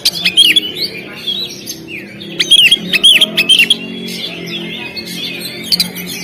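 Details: Oriental magpie-robin (kacer) singing on a contest stand: looping whistled phrases and sharp chirps in clustered bursts, with soft chatter and low hum beneath.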